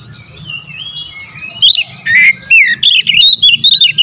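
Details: Magpie-robin lure song, 'tembakan rapat' style: a soft rising whistle, then sudden loud sharp chips and swooping whistled notes repeated in quick succession over a low background hum.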